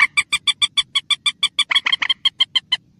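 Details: Wild common moorhen uttering a rapid, steady run of about sixteen sharp nasal notes, roughly five per second, briefly jumbled and doubled in the middle before resuming the even rhythm.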